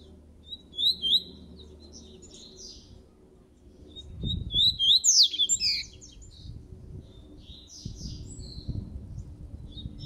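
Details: Coleiro laranjeiro seedeater in moult, kept indoors, gives short high twittering phrases, then a longer run of sharp downslurred whistles and buzzy notes near the middle, with low rumbling room noise throughout.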